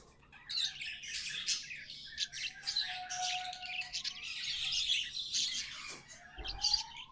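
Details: Singing pet budgerigars, tamed: continuous chattering warble of rapid squeaks and buzzy notes, over a soft lower whistle that holds steady, then a rising whistled glide near the end.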